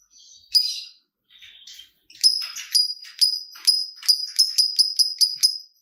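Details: Lovebird used as a lure to get other lovebirds singing, delivering a fast chattering run of sharp, high clicking notes, about a dozen in quick succession, after a few softer scratchy notes at the start.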